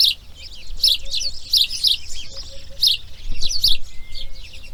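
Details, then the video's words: Grey heron nestlings on breeding day two give clusters of scratchy, chattering calls with brief gaps, over faint low background noise. "RELAX SONIDOS IMAGENES NATURALEZA | Garza real (Ardea Cinerea) Crianza Dia 2| Grey Heron Breeding"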